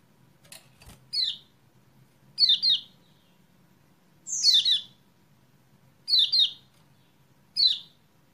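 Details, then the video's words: Series of kecial kuning (Lemon-bellied White-eye) chirps meant to stimulate a silent bird to sing: five bursts over eight seconds, single and doubled descending notes spaced a second or two apart, with a couple of clicks at the start. "BEGINI PANCINGAN CEPAT GACOR UNTUK KECIAL KUNING MACET"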